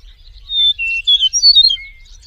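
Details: Eastern meadowlark in the wild giving one brief song phrase of pure whistles. A long high note is followed by a lower steady one, then a rapid run of bright slurred notes ending in a soft descending whistle. Quiet background.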